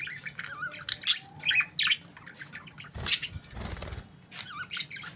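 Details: Budgies in the morning giving wavy warbled chirps and scratchy squawks, with a burst of wing flapping or rustling near the middle.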